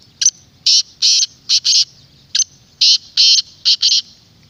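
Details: Loud, clear black francolin call for luring wild birds or stirring a kept francolin: two harsh grating phrases of chunky, buzzy notes, each of about five bursts, separated by a short gap.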